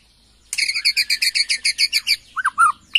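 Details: Bornean white-rumped shama lure song: a fast, even train of about fifteen bright, high stacked chips, followed by two short lower whistled slurs.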